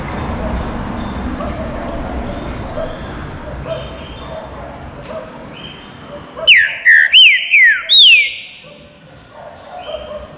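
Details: After several seconds of steady background noise, a caged Green-winged saltator in a flight cage delivers a baruc-style phrase of four bright, downward-slurred whistles in quick succession.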